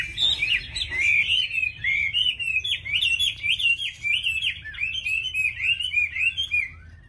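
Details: Continuous, varied warbling from a tamed caged Chinese hwamei: clear, loud whistled notes looping and trilling without pause for seven seconds, indoors with a low steady hum.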